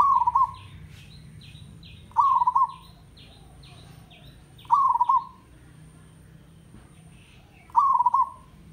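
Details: Village zebra dove, recorded to encourage captive doves to sing, repeats a vibrating, trilled coo four times at intervals of two to three seconds. A rapid run of higher slurred notes from another bird sounds behind it.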